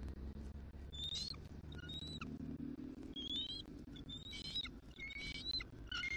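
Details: Morning nest changeover of a bald eagle pair, Southwest Florida, 6 December 2023: repeated high, squeaky chittering notes in uneven bursts, some with descending tails, set against a strong low-frequency background drone.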